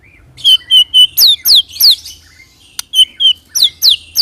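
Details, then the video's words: Shama song meant to provoke other birds into singing, a rapid series of clear whistles and steep downslurred notes, roughly four per second, with one sharp click midway and a brief gap. "pancing murai dengan roll tembak ini murai batu manapun akan respon bunyi ngerol"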